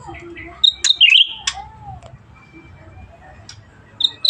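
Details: Black-headed Bulbul in active song: one quick twisting whistled phrase, then a soft sliding note, and two short high notes near the end.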